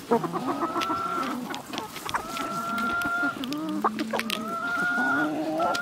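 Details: Village chickens in Türkiye giving drawn-out, level, tonal calls with harmonics, several overlapping calls in a row, plus scattered clucks and clicks from a busy flock.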